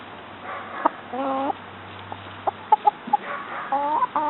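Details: A rooster calls his hens to scratch feed: short tonal clucks in uneven bursts, some with rising, wavering inflections, separated by sharp clicks. A steady low hum runs beneath the first half.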